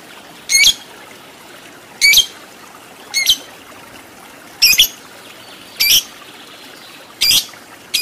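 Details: Lovebird on a training recording for fighter birds with long ngekek; sharp, shrill squawks repeat about every second or so, seven in total, each short and harsh, with quiet hiss between.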